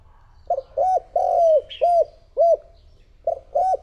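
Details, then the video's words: Spotted dove used as a lure bird to attract other doves, giving a rapid series of low, rounded coos with one longer falling note, then the start of another phrase. A faint higher chirp is heard briefly. "Cu gáy mồi thúc gù gọi bổi / Suara Burung Tekukur Gacor Terbaru 2026 Paling Ampuh Untuk Pancingan"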